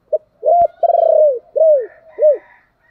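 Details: Spotted dove coo, a call meant to draw wild doves into cooing back: short note, long vibrating middle coo and two downslurred notes, with a click early on and a faint higher bird call behind.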